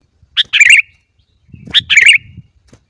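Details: Sooty-headed bulbul sounds played to coax caged bulbuls at home into singing: two short bursts of bright, bubbly chirping notes, each opened by a sharp high note, with a brief quiet gap between them.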